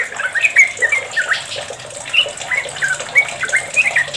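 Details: Yellow-vented bulbul in long, rapid continuous song, used as a lure recording, gives a long run of bubbly, chattering whistled notes, several per second, over a steady hiss like running water.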